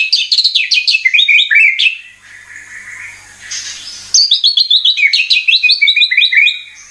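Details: Murai batu (white-rumped shama) singing a busy, rapid medley of sharp chirps and whistles, broken by a short noisy gap, used as a lure to make birds sing.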